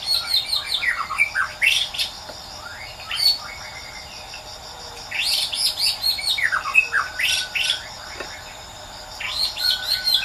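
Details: Melodious song of a wild white-rumped shama: bursts of rich whistles and sharp sweeping notes delivered in phrases about every three seconds, separated by quiet gaps.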